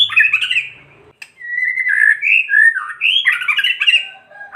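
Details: White-rumped shama kretekan, intended to provoke other shamas to sing: harsh chattering notes, a short gap, then a flowing mix of whistled and scratchy phrases that rise and fall.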